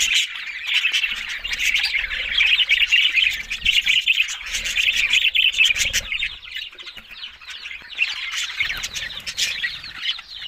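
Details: Budgerigar warbling from these Australian parrots, a rolling, rasping chatter with chirps and soft clicks, loudest early on and growing quieter and sparser toward the end.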